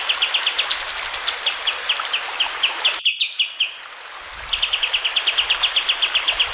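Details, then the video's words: Sooty-headed bulbul song used for training caged birds: rapid series of clear, short high notes repeated about three per second, with a brief break mid-way, over steady running water. "Masteran Kapas Tembak Jernih dengan suara air mengalir"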